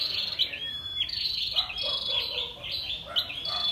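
A female scarlet-backed flowerpecker gives sharp, high, thin notes with brief whistled slurs, roughly every second and a half, over a steady high chittering hiss.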